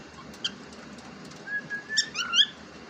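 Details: Pet cockatiel, described as talking, gives a faint short chirp and then a run of clear whistled notes that rise and step upward, ending in brief squeaky chirps.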